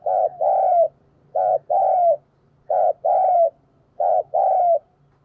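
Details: Captive decoy spotted dove cooing to draw in wild doves. Four even phrases repeat about once a second, each a short hollow note followed by a longer, gently falling coo, over a faint low hum.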